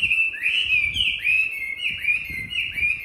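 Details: Tame Chinese hwamei from Hà Nội, kept for competition-style singing, gives clear whistled phrases of slurred rising and falling notes, repeating roughly every half second with a bright ringing quality; faint low thumps beneath.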